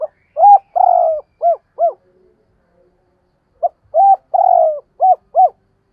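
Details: Decoy spotted dove giving intense, urging cooing meant to set other doves calling; two low, mellow phrases, each of five hollow coos with a longer drawn middle note, separated by a pause of about two seconds, with a quiet background.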